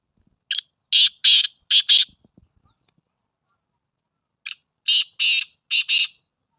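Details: Black francolin calling in bursts: harsh, buzzy notes in two groups of about five, each note short and grating, separated by several seconds of silence with faint clicks in between.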